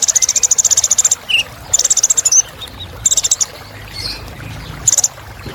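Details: Sunbird known locally as kolibri ninja, used as a luxurious filler song, gives high buzzy trills in repeated bursts of about half a second to a second, with short sharp chirps between them.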